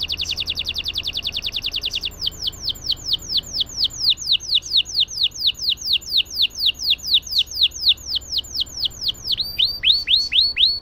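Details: A singing canary's extended phrase, used to encourage quiet canaries: a short rapid high trill opens, followed by a long, regular sequence of downslurred whistled notes about three per second, ending in a quicker burst of similar slurs.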